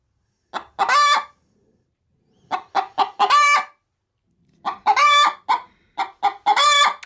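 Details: Hen getting ready to lay an egg inside a feed bag, cackling repeatedly: three phrases, each of several quick clucks building into a long harsh nasal note, about once every two seconds.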